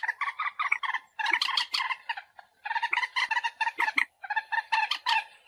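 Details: Common moorhen calls played to attract birds for hunting: fast, rhythmic series of raspy, honking cackles in groups, each run lasting about a second with short breaks between.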